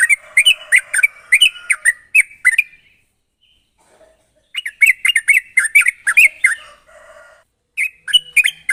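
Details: Sooty-headed bulbul, sharp rapid chattering used to lure untrained birds into singing: a fast run of bright chirps, nearly two seconds of quiet, then a second run and a short final burst.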